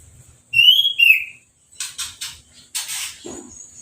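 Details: A caged orange-headed thrush, just finished moulting and with no cage cover, gives two clear, high whistled phrases while being sprayed with a hose; the second phrase is slightly lower, followed by bursts of hissing water spray.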